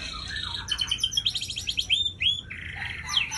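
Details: Aceh white-rumped shama, a breeding hen, delivering a loud, varied song of clear rising whistles, fast chattering trills and sharp chips in quick succession, pitched high with little background noise.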